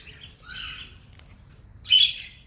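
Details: Pet cockatiels utter two scratchy, buzzy chirps about 1.5 seconds apart, the second louder and sharper, over a quiet background.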